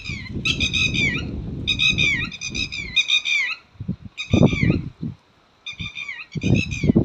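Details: Red-wattled lapwing giving piercing, ringing note groups in separate bursts, with repeated low thumps and rumbling handling or wind noise between the calls.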